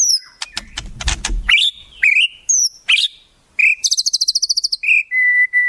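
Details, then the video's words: A white-rumped shama sings with wild-bird mimicry: harsh clicking notes, bent whistles, a short quick rattle, then a steady long whistle near the end. "Masteran Murai, Isian Burung Alam Liar"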